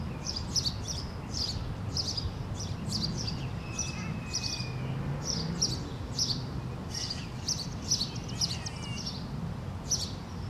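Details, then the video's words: Male sparrow singing in a tree, recorded April 28, 2017: a steady run of short, bright chirps repeated about twice a second, with a faint thin whistle from another bird and a low rumble of background noise. "Little male sparrow chilling in the tree and singing his little hear out !"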